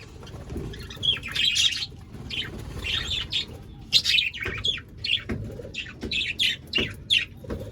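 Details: An aviary flock of budgerigars, 25 pairs, keeps up a busy, overlapping stream of squeaky, high twittering chirps with few breaks, over a faint low hum.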